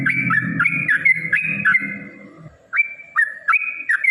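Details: Yellow-vented bulbul with aggressive 'ropel' song meant to provoke rivals: bright stepped whistled phrases repeated several times over a low rumble, a short pause, then the phrases resume more cleanly.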